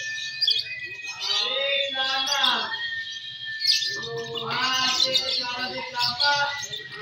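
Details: Competition singing of Balibu Fighter lovebirds M1 and M2: dense, rapid high chirping and trilling chatter that runs almost without pause, with people talking loudly underneath.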